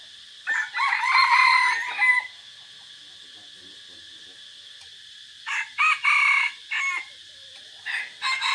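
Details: Decoy red junglefowl in forest, 3 April 2024, crowing repeatedly: a long multi-part crow, a pause of about three seconds, then a second crow and the start of a third, over steady high hiss.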